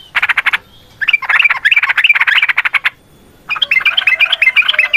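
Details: Lure song of a yellow-vented bulbul, fast and combative: bursts of dense, bubbly chattering notes broken by two short silences, each burst rich and warbled.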